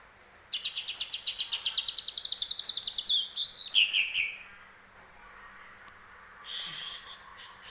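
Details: Caged, home-raised greater green leafbird in full song, trained with a filling of grey-cheeked bulbul phrases: a fast train of about twenty bright, even chirps climbing slightly in pitch, then rich sweeping whistled slurs and a brief buzzy burst.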